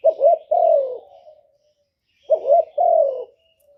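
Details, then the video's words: Two cooing phrases from a spotted dove kept as a lure for trapping wild doves. Each is a stuttered, upward-bending double note followed by a longer, smoothly falling coo that trails off softly. "Cu gù kích bổi, kéo bổi về tàng tiếng chim cu gáy đi bẩy"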